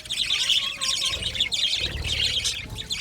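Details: Aviary flock of budgerigars producing a steady, crowded chatter of short scratchy chirps and warbled notes, with a faint low thumping in the background.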